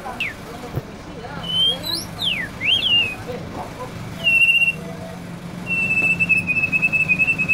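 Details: White-rumped shama copying a canary: scattered whistled sweeps, some rising and some falling, then a long, even, rolling trill held for two seconds over faint background hum.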